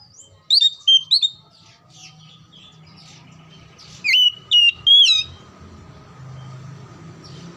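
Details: Oriental magpie-robin singing, played to encourage silent or lazy magpie-robins to start singing: two quick pairs of sharp whistled notes, scattered soft chirps, then three loud clear whistles around the four-second mark, above a low hum.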